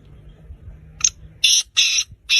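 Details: Six-month-old black francolin calling; one short note then three loud harsh grating bursts, each about a quarter-second, in a quick rhythm against quiet low rumble.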